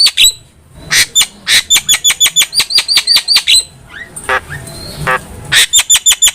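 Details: Javan myna master recording for training cage birds: rapid runs of sharp repeated chirps, about five per second, with a brief pause and scratchy notes midway.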